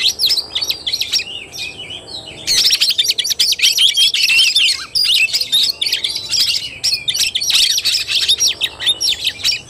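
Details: Oriental magpie-robin in fighting-style (tarung) song, recorded 17 August 2021: dense, rapid run of varied whistles, chatters and buzzy notes high in pitch, quieter opening then continuous loud phrases from about two seconds on.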